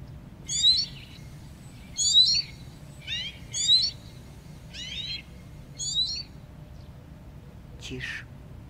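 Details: Eurasian siskin, declared Russia's bird of 2024 over falling numbers, singing short bursts of buzzy, twittering high notes in phrases about every second, with a faint low rumble beneath and a soft voice just before.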